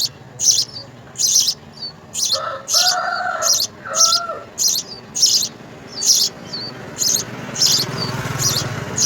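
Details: House sparrow nestlings begging while being fed insects: high, hissy chirp bursts repeated about once a second, with a brief lower whistled tone around the middle and soft low rumble near the end.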